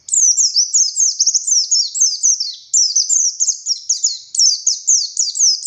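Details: Buxtoni Oriental white-eye in full, vigorous ngalas song, a continuous run of very high, thin, rapid downslurred chirps and twitters, briefly pausing near the middle before resuming just as intensely; no other sounds.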